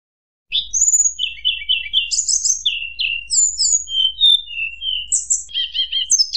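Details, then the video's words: Flute-like song of a Sunda blue robin meant to provoke rivals: a high whistle, a run of short repeated notes, buzzy bursts, then descending whistled phrases and fast chattering notes at the end. Clean, no background noise. "tledekan gunung nyuling bikin lawan emosi"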